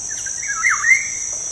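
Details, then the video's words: Black-naped oriole (kepodang) song, played as a lure to get kept birds singing: one liquid, fluting whistled phrase that slides down then back up over about a second, over a steady high insect drone. "PANCINGAN SUARA BURUNG KEPODANG"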